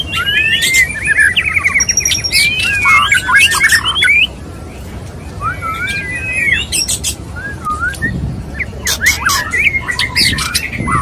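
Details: Courting male white-rumped shama: busy whistled warbles and sharp clicks at first, then quieter scattered slurred whistles before clicking and whistling pick up again toward the end.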